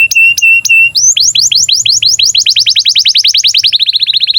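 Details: Breeding-condition canary song meant to coach young canaries into singing and rolling: three steady mid-high whistled notes, then a long accelerating series of swept notes merging into a rapid rolling trill.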